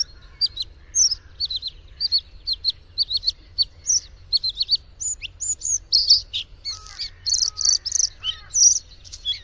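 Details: Bluethroat singing a long varied phrase: repeated sharp high ticks accelerating into buzzy rattles and ringing notes, with lower clear whistles near the end.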